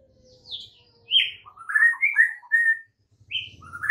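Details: White-rumped shama master song used to train caged birds: varied whistled and slurred notes, some descending, some buzzy, over a faint low hum.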